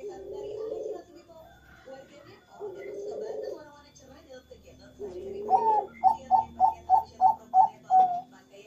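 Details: Zebra dove of the Bangkok type cooing in the morning without stopping: low murmuring sounds give way to a staccato run of about seven quick, evenly spaced cooing notes ending in a longer note.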